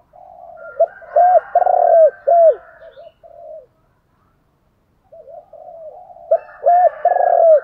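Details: Spotted dove used as a decoy to excite wild doves into cooing; two bursts of loud, hollow, arched coo notes separated by a short silence, each burst preceded by softer wavering coos.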